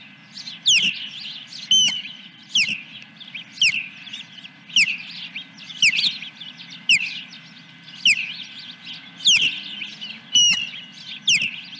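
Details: At the nest on July 10, 2021, as a fish arrives, an osprey gives a steady series of sharp, high, falling whistles about once a second, with faint chattering between them.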